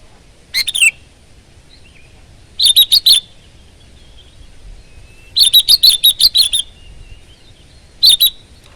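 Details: Sooty-headed bulbul singing energetically: short clusters of crisp, high chirps, some bursts only two or three notes, one a rapid run of about eight, spaced by brief silences.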